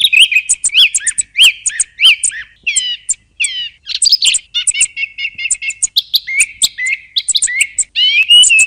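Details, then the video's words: A song thrush repeats a short whistled note four times, then shifts to buzzy descending phrases and rapid chattering trills, all high and crisp. "صوت السمنة المغردة"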